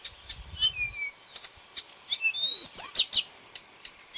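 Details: Song of a marsh warbler, 30 May 2010: quick chattering clicks interspersed with whistled swoops and a bright tangle of high notes near the middle, after a brief low rumble at the start.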